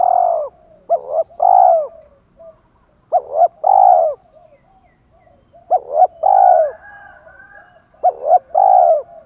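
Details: Spotted dove cooing, male and female, for urging a male to coo: four phrases, each two short notes and a longer falling coo, roughly every two and a half seconds, faint background murmurs.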